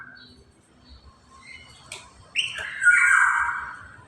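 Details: A single broad, grating squawk from a black-naped oriole, falling slightly in pitch over about a second, preceded by a couple of faint thin notes and a low background drone.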